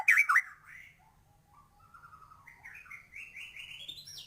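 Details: White-rumped shama in active song with filler phrases, used to stir birds up: two loud sharp notes open, then a soft stepped series of short whistles climbing steadily higher in pitch.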